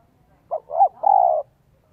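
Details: Spotted dove kept as a Vietnamese lure bird, cooing in the 'son 1 cốt' voice: one short note, a rising-then-falling coo and a long level coo, in quiet surroundings.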